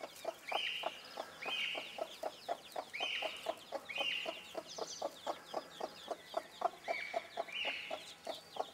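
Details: Broody bantam hen with her chicks, giving steady low clucks about three per second, while the chicks add short high peeping calls in small bursts throughout.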